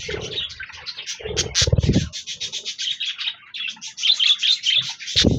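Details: A flock of budgerigars sings on 26 January 2024: continuous scratchy warbling and sharp chirps, brief clear whistled notes near the end, and dull low knocks in the first two seconds.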